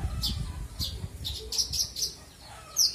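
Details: Australasian bushlark, a caged bird kept for its full varied song, recorded as a training model for other songbirds: scattered sharp high chirps and short buzzy notes with pauses between, some low background rumble.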